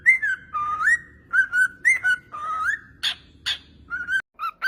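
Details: Pet parrot whistling a tune of gliding notes at about two per second, broken by two sharp clicks and a brief pause.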